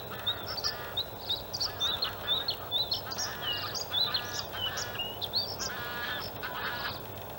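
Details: Male white-spotted bluethroat singing from an open perch in reeds at a harbour landfill in Halmstad, Sweden, in early May: a varied, high, rapid run of twittering notes, sharp whistles and buzzy trills over a steady noisy background.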